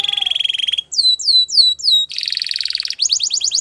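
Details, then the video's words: Belgian canary song with a fast trill, four separate downslurred whistles, then a dense buzzy roll and rapid rising chips, all loud and close. "The best canary sounds | Belgian canary singing"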